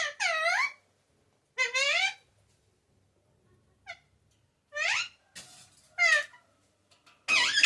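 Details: Talking pet parrot, known locally as mithu or tota, saying words like papa and mummy loudly indoors: two-syllable harmonic bursts with rising and falling tones, then shorter clipped syllables and a harsh squawk at the end.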